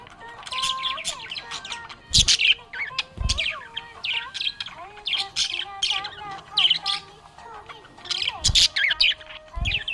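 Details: Budgerigar chirping happily, a busy stream of short high chirps and rasping twitters in bursts, with low held tones sliding and stepping underneath and occasional loud thumps.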